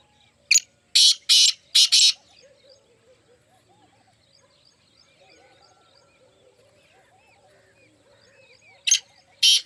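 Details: Partridge gives four quick rasping notes, falls silent for several seconds while small birds chirp softly, then calls twice more.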